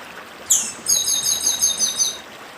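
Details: Northeastern chestnut-bellied seed finch gives a bright high note, then a rapid series of clear, repeated falling whistles lasting over a second, against constant babbling stream noise.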